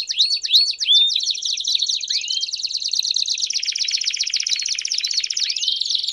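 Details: Several Belgian canaries singing together, meant to stimulate another canary to sing; dense high trilled rolls with rising whistled sweeps, one long steady buzzy trill taking over midway.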